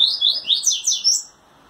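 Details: Courting Double-collared seedeater kept in a breeder's cage, wings trembling at a female, delivers a rapid run of about six sweet, swooping high whistles that end abruptly, with faint room hiss behind.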